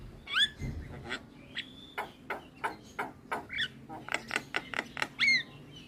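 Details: Javan myna singing as a training recording to get a reluctant bird to answer: rapid dry clicks and rattles alternate with sharp rising whistles, and a soft low thump is heard early on.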